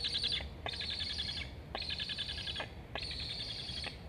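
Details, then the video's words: Black stork chick begging at a nest-cam site in Estonia, August 2021, both young chirping as one flies along the nest; four raspy, high-pitched buzzes, the later ones longer, with short breaks between. "Sibling flying along the nest, Julge 7181 asks to eat. Both are chirping."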